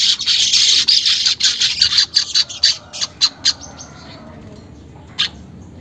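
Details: Unedited weaver song played to stimulate caged birds into singing: two seconds of thick, high, hissing chatter break into separate sharp chips, then a pause and a single lone note near the end.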